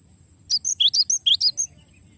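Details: Cinereous tit singing a long rolling 'ngeroll' style song used as a master for training songbirds: seven rapid high sweeping whistled notes in a quick even series, each with a bright upward flick, over quiet low background hum.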